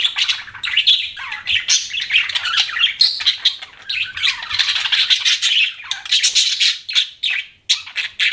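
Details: Steady budgerigar chatter: a long run of buzzy warbled chirps and sharp squeaks, nearly unbroken, with a brief pause near the end.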